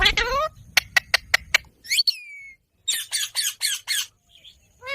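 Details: Ringneck parrot giving a harsh squawk, then a rapid series of sharp clicks, a rising nasal note and a burst of five loud raspy screeches, ending on another squawk.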